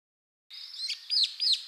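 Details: Wild brown-eared bulbul of the Ryukyu or Ishigaki subspecies on Okinawa and Ishigaki, Japan: after a moment of silence, shrill, sharply downslurred notes come in quick succession, each with a brief buzzy tail.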